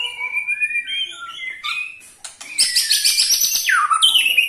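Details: Ketrekan from a white-rumped shama, used to get other shamas singing: clear whistled notes at steady pitch, a short lull, then a loud burst of rapid clicking rattles and a high descending whistle.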